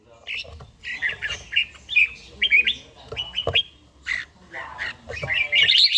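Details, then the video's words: A red-whiskered bulbul in daily training sings at dawn, Gia Lai. Bursts of slurred, squeaky whistles come in uneven groups and build to a fast, high twittering flourish at the end. "chàomào HÓT SÁNG, LUYỆN CHIM HÓT HẰNG NGÀY"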